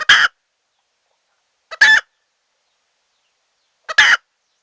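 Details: Wild red junglefowl hen calling, used to lure wild birds into a trap: three harsh, hoarse clucking bursts, each starting with a brief soft note, spaced about two seconds apart with silence between.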